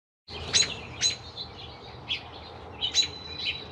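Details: American robin chicks, four in a nest, three aged 2-3 days and one a day or more older, begging while mother and father take turns feeding them; thin high squeaky peeps and short chirps in scattered bursts over quiet background hiss.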